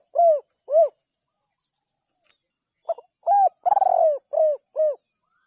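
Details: Two short soft coos from a spotted dove, a pause, then a full phrase: stuttering lead-in notes, a long trilled coo and two clipped downward-curving coos.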